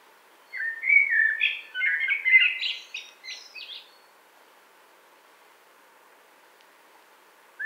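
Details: Common blackbird delivering one short phrase: low fluted warbling notes that rise into a thin, squeaky twitter, lasting about three seconds and then falling silent in a quiet setting.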